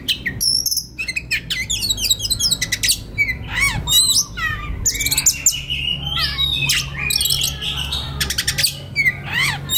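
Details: White-rumped shama in relaxed song, recorded as a master for training young birds: a rich, fast medley of sweet whistles, slurred rising and falling notes and buzzy rattles, nearly continuous, over a faint low hum.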